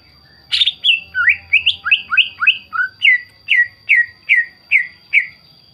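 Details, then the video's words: Greater green leafbird song used to provoke other birds to sing: varied whistled and slurred notes at first, then a steady series of downward-slurred whistles about every half second, with a faint steady high tone behind. "PANCINGAN CUCAK IJO GACOR, CUCAK IJO LAIN MESTI NYAUT DAN IKUTAN GACOR"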